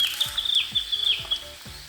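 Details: Narcissus Flycatcher, a summer bird recorded around Abashiri, Hokkaido, in early May, played back slowed down: a high, wavering whistled phrase with quick dips and trills, held over steady background music with regular low beats.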